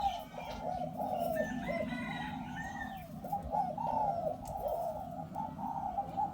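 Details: Zebra dove, a four-year-old hybrid decoy bird for pen trapping, with a tight inner and outer ring style: rolling, trilled coos in quick runs of short notes, continuing throughout over a steady low rumble.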